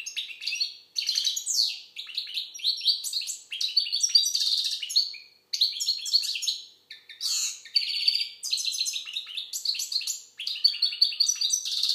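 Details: Algerian goldfinch singing a fast, unbroken jumble of bright twittering, tinkling and buzzy trilled notes, delivered in bursts of one to three seconds separated by brief pauses; no other sounds are heard.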